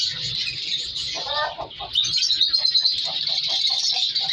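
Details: Captive African color lovebirds in a breeding colony give continuous high-pitched twittering, with a brief harsher, lower call near the middle and quick repeated chirps; faint hum and rustling behind.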